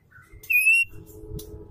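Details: Female Oriental magpie-robin calling to a male as a lure; a brief soft rising note, then one strong, pure, slightly rising whistle, with faint low hum afterwards.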